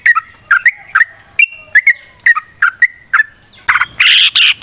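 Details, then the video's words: Yellow-vented bulbul singing in the lively, long-running ropel panjang style, used to lure other bulbuls into singing. Short, bright chirping notes come roughly once a second, then end in a louder, harsher burst of buzzy chatter. "Trucukan GACOR ngalas ROPEL PANJANG suara alam AMPUH buat pancingan"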